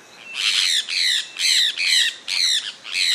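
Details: Harsh, grating screeches from a sulphur-breasted parakeet (Aratinga maculata), repeated about twice a second in short bursts, loud and high-pitched with little background noise.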